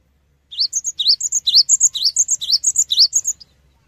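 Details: Cinereous tit (gelatik batu) lure song meant to prompt other birds to answer; a fast three-second run of high upslurred chirps paired with thin whistled notes, about two notes each second, with faint low hum beneath.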